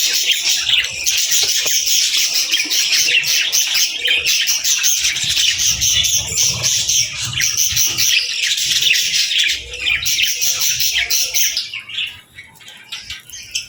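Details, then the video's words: Young budgerigars and lovebirds chirping at feeding time as they eat and interact, a busy flock chorus of rapid, high, buzzy twitters that runs without a break and fades quieter near the end. "Love Birds & Budgies Feeding Time Sounds"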